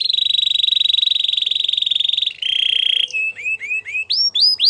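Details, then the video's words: Training song from a canary: a sustained buzzing roll on one pitch, a short lower roll, then a series of quick rising whistled notes that climb higher toward the end. "The Most Spectacular Canary Song!! Listen To This And Your Canary Will Sing A Lot"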